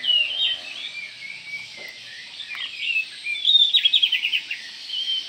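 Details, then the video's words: White-rumped shama call said to provoke other shamas, a busy run of sharp chirps and slurred whistles, rising to a rapid burst of clipped notes near the middle before tapering off. "panggilan Kacer ini mampu mendobrak emosi semua Kacer dalam hitungan detik"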